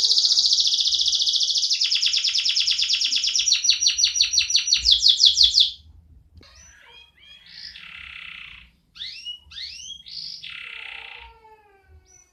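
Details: Caged canary singing: a fast high buzzy trill, then rapid repeated note tours rising in loudness for about six seconds, followed by quieter scattered chirps and short whistled notes with pauses.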